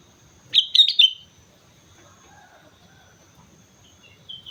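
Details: Sooty-headed bulbul, a lively singer from Mount Slamet, delivers one quick cluster of four fluty, slurred notes, followed by near silence and a faint short whistle at the end.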